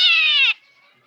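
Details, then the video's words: Black drongo, known locally as srigunting or saeran, mimicking a cat: one drawn-out, meow-like harmonic note lasting about half a second, level in pitch, then cut off sharply, leaving a faint thin whistle trailing behind. "Srigunting hitam suara kucing"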